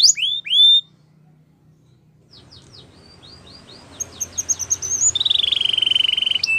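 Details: Belgian canary singing: a few bright downslurred whistles, a quiet pause, then a quickening series of high chirps leading into a fast, even buzzy trill that continues to the end.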